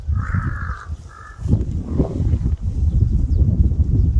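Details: A crow gives one long hoarse caw followed by a shorter one, then falls silent while loud low rumbling noise, like wind buffeting, fills the rest.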